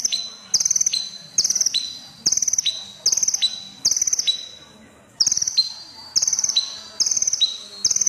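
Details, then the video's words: Crimson sunbird (konin), red-breasted and very vocal, giving a rhythmic run of sharp, high, pulsed trills with a lower tail note, briefly pausing once midway before resuming. "Burung KONIN Kolibri Ninja DAMER Dada Merah Gacor || CHIRPING SOUND ||"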